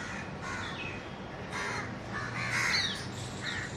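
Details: A house crow (Corvus splendens) in a Delhi city park, India, gives harsh, hoarse caws, about four in quick succession over a few seconds, against a low hum of distant city noise.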